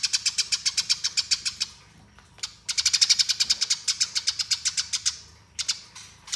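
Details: Eurasian tree sparrow pouring out its rolling fighting song for master training: long, fast runs of harsh high chirps, around two and a half notes per second, broken by one brief pause.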